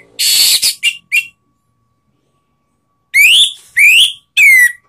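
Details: Orange-headed thrush from Indonesia singing to provoke rivals: an opening harsh, noisy burst and two short notes, a long pause, then three loud whistled slurs that rise and fall.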